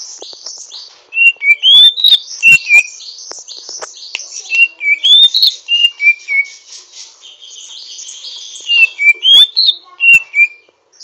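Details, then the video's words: Greater green leafbird, a captive songbird, in rough twittering song while learning to sing: loud whistled upslurred and downslurred notes in bursts, with a dense high scratchy chatter running underneath. "Burung cucak ijo ngriwik kasar belajar gacor"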